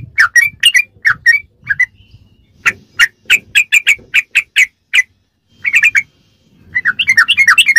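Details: Sooty-headed bulbul in a training track for caged songbirds: groups of short bright whistles separated by brief gaps, ending in a rapid twittering flurry, faint low background noise.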